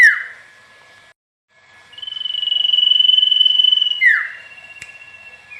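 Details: Common iora in the wild: a downslurred note ends one phrase, then after a pause a long, pulsed, level whistle swells for two seconds and falls away in a sharp downward slur, over a constant high hum.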